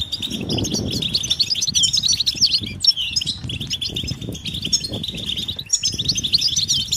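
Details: European goldfinch calls of mating and readiness, stimulating males to sing: constant bright twittering and trilled chirps, brief lulls near three and six seconds, with wing-flutter and rustling underneath.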